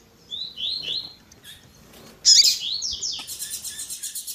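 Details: Double-collared seedeater tui tui zel zel song with female calling: soft descending whistles, then a loud burst of slurred notes and a fast rattling trill of rapid pulses.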